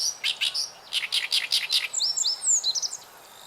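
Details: Oriental Reed Warbler singing by a river on 29 June 2013, new to the site in two years: a fast run of loud, harsh, croaking notes, followed by thin high whistled upslurs from a second bird.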